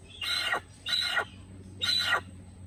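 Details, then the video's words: Three coarse, squawking hornbill notes from a little hornbill, each short and harsh with a slight downward slur at the end, evenly spaced, over quiet steady background noise. "Little Hornbill with natural sound"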